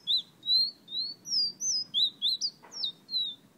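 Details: Clear, loud whistling from a fire red Guyana bird: a continuous chain of short, sweet notes, each gently rising or falling, several per second, with one brief rustle midway.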